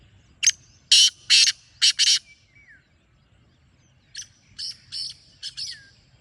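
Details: Black francolin calling: a loud phrase of one short and four harsh, buzzy grating notes, then after a brief gap a softer, more distant repeat of the same rhythm, with a faint whistle in between.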